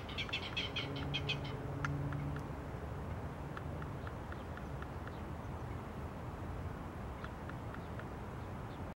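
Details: Clapper rails calling on March 31, 2022 give a dry, harsh clatter of rapid kek notes, trailing into fainter spaced clicks, over a steady low rumble and hum.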